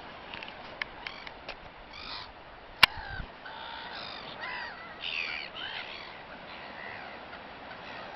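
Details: Gulls feeding call loudly in harsh, nasal notes, some clipped and some drawn out, in irregular bursts. One sharp click or knock is heard near the middle.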